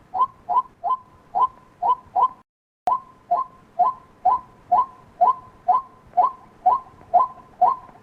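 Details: Repeated calling of a white-breasted waterhen: short hollow mid-pitched notes, about two per second, paced steadily, with a brief silent cut partway through before the same rhythm continues.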